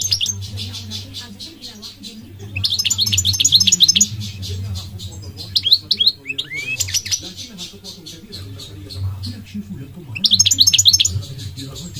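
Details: Singing goldfinch giving bursts of rapid, tinkling twitters separated by pauses, with occasional single sliding notes, against a persistent low hum and faint background noise.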